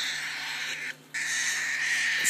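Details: Hungry hand-fed slate cockatiel chicks in an incubator beg at feeding time, every four hours, with a harsh continuous raspy hiss, briefly breaking off, then resuming with a thin whistled edge, over a low electrical hum.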